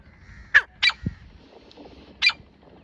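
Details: A female grey francolin, recorded 24 January 2025, gives three harsh, scratchy notes, two close together and a third after a pause, with a soft low thump between them.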